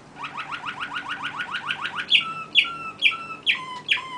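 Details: Songbird delivering a fast run of rising chirped notes, about five per second, then changing to five loud, ringing, downward-slurred whistles spaced nearly half a second apart over a quiet background.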